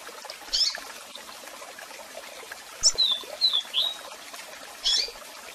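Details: Double-collared seedeater with calls and a strong song, played for song training: isolated sharp chips, then three downslurred whistles in a row, then another chip. A waterfall rushes steadily throughout.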